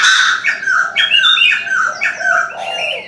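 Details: Morning calling of a Chinese francolin: a quick string of loud, rasping notes, each dropping slightly in pitch, repeated about twice a second.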